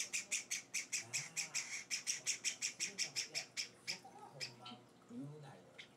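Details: Hand-fed Java sparrow chicks, four days after arriving at a home: a fast, even run of sharp, high chirps that fades out after about four seconds, leaving scattered softer peeps and faint low household sounds.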